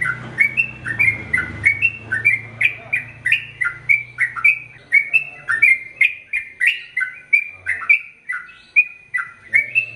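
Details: ['Sooty-headed bulbul, chatty training song for male and female birds in the ropel panjang style: chains of short warbled whistles pour out nonstop at a quick pace, with a low humming background early on.']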